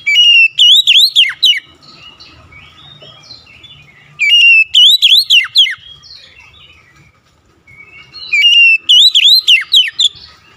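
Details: An oriental magpie-robin repeats its loud whistled song phrase three times, about every four seconds. Each phrase is a rapid string of ringing, swooping notes ending in a downward slur, with soft chatter between phrases.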